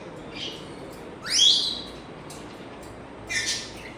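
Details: African grey parrot whistling: a sharp upward-sweeping whistle climbing steeply and then holding high, with softer brief whistled notes before and after it in a quiet room.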